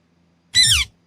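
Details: Pet green ringneck parrot giving a single short, harsh, buzzy screech with a rich stacked tone, falling slightly at the end, in a quiet indoor setting.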